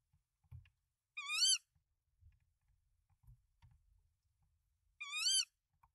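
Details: Two tonal, wavy, overtone-rich calls nearly four seconds apart from a tawny owl at a Danish nest with three eggs, 24 March 2024, the male bringing rodents to the female, with soft scratching and shuffling in the nest between calls.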